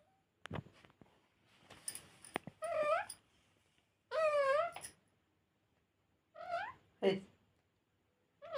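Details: Talking parrot indoors giving a handful of drawn-out, wavering, meow-like voiced calls, each under a second long with rich harmonics, separated by pauses and soft clicks, with a brief human 'hey' nearby.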